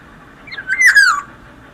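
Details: Black-naped oriole (kepondang) in full, fluent song: one fluty, whistled phrase of about half a second that slides up, then falls in a liquid, rich-toned glide with bright overtones. Only faint background hiss.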